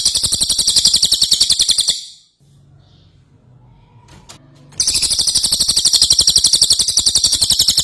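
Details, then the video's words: Ashy tailorbird in vigorous song, kept as tutor material for other songbirds: two long bursts of fast, sharp, high chirps at about four per second, separated by a short lull with faint low background noise. "Cililin Gacor"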